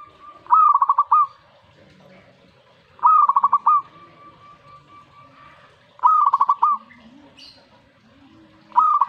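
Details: Zebra dove singing in response to a master recording, with four rolling coo phrases about three seconds apart. Each phrase opens with a clear note and breaks into rapid, bouncing pulses.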